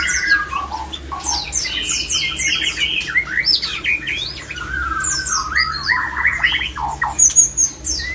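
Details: White-rumped shama singing a rich, fast medley of whistles, slurred notes and harsh squawky phrases, varied and continuous, little background noise; a breeding-condition song used to stimulate other shamas into mating readiness.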